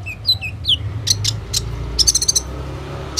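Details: Captive Van Hasselt's sunbird, kept as a lure to stir other sunbirds into singing, recorded on a phone: scattered thin, very high chirps and downslurred squeaks, a short buzzy burst near the end, over faint low hum.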